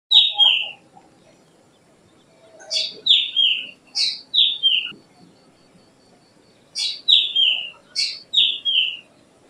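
A Black drongo gives sharp, high, downslurred double notes in quick bursts of two to four, separated by short pauses, over a faint low background murmur.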